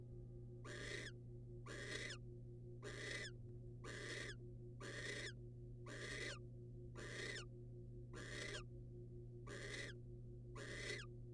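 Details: Eleven regular hissing screeches, each about half a second long, from a wild barn owl during a male's rodent delivery to the female. They fall at a brisk, nearly even pace of about one per second, over a steady hum.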